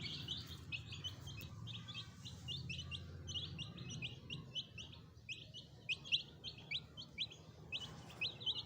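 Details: Freshly hatched chicken chicks kept as pets, peeping continuously: a dense stream of short, high, thin cheeps, several overlapping, with a low hum underneath.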